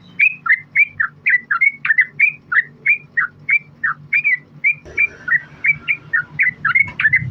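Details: Female yellow-vented bulbul calling the male, a lure recording to make others respond: a long series of quick liquid whistled notes, slurred up and down, about three each second, over a faint low hum and a brief rustle near the end.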